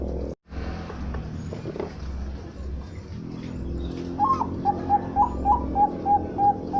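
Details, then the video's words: Zebra dove of the Bangkok type kept for sale, tested for its song: after a few seconds of noisy background, a series of soft, repeated cooing notes begins, about eight short coos in quick succession. "Suara Burung Perkutut bangkok"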